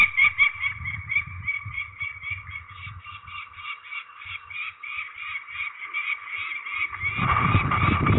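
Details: Peregrine falcons called during ringing at Trzebież, Poland, on 13 May 2019. Harsh, nasal, strongly harmonic notes repeat rapidly, about two to three per second, over low rumbling handling noise that swells near the end.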